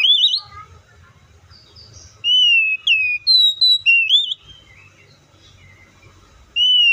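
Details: Oriental magpie-robin song: the tail of a rising whistle, a lull, then a burst of sweet slurred whistles and upswept notes, another lull and a fresh clear whistle.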